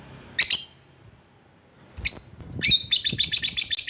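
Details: Lovebird calling to bring in rivals: a short shrill squawk, a piercing rising shriek, then a fast run of harsh, high chattering notes at about eight per second.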